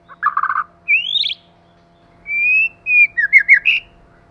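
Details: White-rumped shama, male and female: a buzzy burst, then a rising whistle, a long level whistled note, and quick sharp downslurred whistles to finish.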